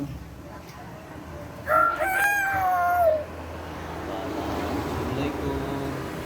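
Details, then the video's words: Common hill myna imitating a rooster's crow: a single drawn-out, strongly harmonic cry lasting about a second and a half, held level then sliding slightly downward at its end, followed by a soft low murmur over steady background hiss. "burung beo bersuara ayam jago"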